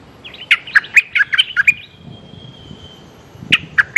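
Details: Streak-eared bulbul calling to attract a mate, giving a rapid run of about seven clipped, squawky chirps, a pause of nearly two seconds, then three more chirps.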